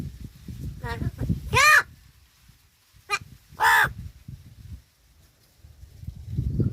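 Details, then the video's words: Talking crow at Gargaon, Palghar, giving two loud, harsh, harmonic caws about two seconds apart, each under half a second, while a man speaks Marathi nearby over a low background murmur. "गारगाव बोलका कावळा.. बोलतो जेवायला जायचे का ..palghar talking crow"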